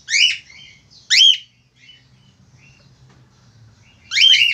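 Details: Loud male Australian finch in full song, giving bright, high, sharply slurred chirps, two close together and one after a pause of about three seconds, separated by softer twittering notes over a steady low hum.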